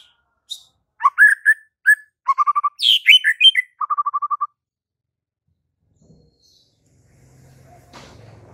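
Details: Murai batu song: scattered whistles, a mixed warble with harsh notes, and a quick even trill, followed by quiet with a low rumble and faint noise at the end.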